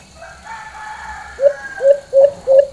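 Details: White-eared brown dove, locally Alimokon, in its normal full call: after a long, faint harmonic background sound, four loud low hoots ring out about every third of a second.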